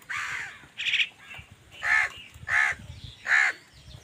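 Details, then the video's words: Crows calling angrily while fighting other wild birds for food: harsh, rasping caws, five strong calls in four seconds at an uneven pace, with a higher, shorter note among them. "Wild birds fight with crows for food | Crow bird unity anger and sund | Angry kawa ki awaaz"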